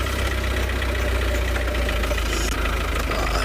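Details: A vehicle engine idles loudly and steadily with a low rumbling drone throughout, and no animal sounds are heard.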